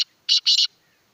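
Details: Black francolin, known locally as kala tetar, calling: a short harsh note, a pause, then two loud buzzy grating notes run together, high-pitched and abrupt, with a quiet background.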